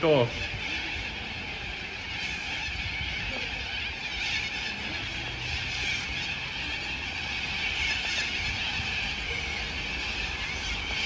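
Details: A huge flock of Sulphur-crested Cockatoos in Melbourne on 2 February 2022 keeps up a continuous wall of harsh, grating screeches, with a person's excited voice briefly at the start.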